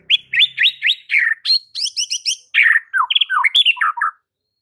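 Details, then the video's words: White-rumped shama provocation song aimed at making rivals furious: a rich, continuous stream of rising and falling whistles and quick chirps, with rapid note runs and varied phrases over about four seconds. "PANCINGAN Murai Batu yang bikin lawan Langsung NGAMUK & EMOSI TINGGI seketika"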